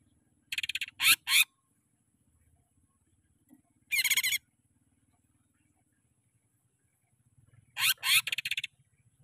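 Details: Greater green leafbird song for training caged birds: widely spaced groups of harsh, scratchy broadband bursts over faint low background rumble, with near silence between the groups.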